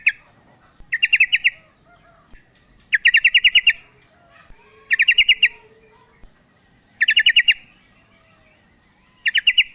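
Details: A female yellow-vented bulbul calls to attract a male. She gives evenly spaced bursts of fast, rattling bright notes about every two seconds, with faint clicks in the background.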